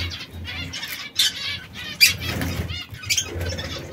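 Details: Three caged canaries of different colours (red, yellow, brown) that squabble from time to time. Thin high chirps and a few sharp notes sound between loud wing flutters, over a low hum.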